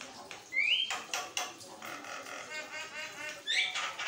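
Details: Continuous song of a Javan myna, meant for training and provoking other mynas; a bright rising whistle opens, followed by raspy chattering bursts and another upslurred whistle near the end.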